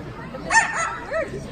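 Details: A trained parrot performing at a bird show at African Lion Safari, Hamilton, Canada, imitates a dog's bark as a learned sound effect, giving two short, hoarse, woofing bursts.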